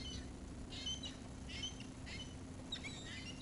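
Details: Seagulls being fed call in a quick series of short, bright harmonic squeals, about one every half second, over a low hum.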